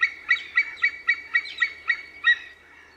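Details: White-tailed eagle uttering about nine sharp, ringing yelps in quick succession, roughly four per second, each note bright and harmonic, the series ending after two and a half seconds in near silence.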